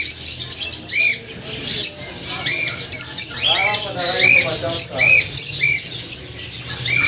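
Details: Gouldian finch giving short, arched chirps, each rising then falling, repeated roughly every half second to one second, over a steady high hiss and scattered squeaky twitters.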